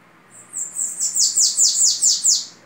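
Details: Babaçu-type bananaquit singing in the Belgian style: one phrase of about seven very high, sharp, sibilant notes, each slurring downward, delivered evenly at roughly five per second.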